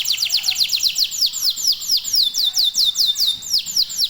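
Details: High, rapid song of a local domestic canary meant to trigger singing in others: sharp falling whistled notes repeated in quick trills that slow into spaced sweeps, then speed up again.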